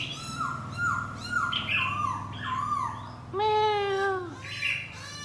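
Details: Singing, dancing decoy laughingthrush gives a series of repeated downslurred whistles, followed by a long, rich falling note and further whistled phrases, with low background rumble.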